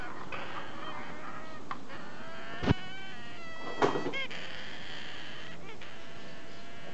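A hybrid cockatoo gives drawn-out, nasal, honking calls broken by two sharp, raspy screeches a second apart, over steady indoor background noise.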